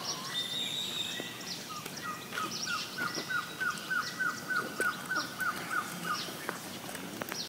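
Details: A Gartered Trogon at Punta Leona on 21 January 2014 gives a steady run of about fourteen soft, even notes, roughly three or four a second, against forest background with another bird's high whistle; finding: Gartered trogon.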